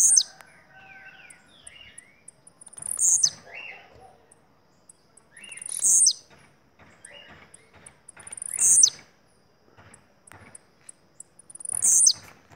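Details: Blue-black grassquit (tiziu) of Bahia type, a privately owned bird, giving short sharp high buzzy bursts repeated about every three seconds, five in all, with softer lower chirps and twitters from other birds in the background.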